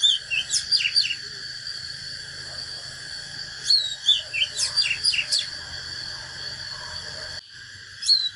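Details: An Oriental magpie-robin gives fighting song, challenging a rival male: rich bursts of varied, sweet whistles and quick slurred notes in short phrases, over a steady high insect-like hum.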